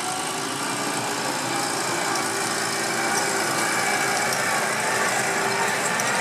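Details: A steady, even rumble of an idling engine fills the whole stretch, with a broad hiss and no calls from any animal.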